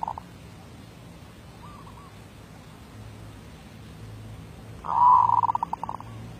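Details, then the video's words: Zebra dove (merbuk), 2019, singing in voice-B derak labuh style: soft faint coos early on, then one loud rolling phrase of rapid pulsing notes near the end, against a quiet background. "Suara B Derak Labuh"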